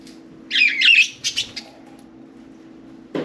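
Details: Budgerigars kept as pets, four of them playing inside and atop their cage, give a burst of fast scratchy warbling chirps followed by softer ticks, then quiet with a low hum and a closing thump.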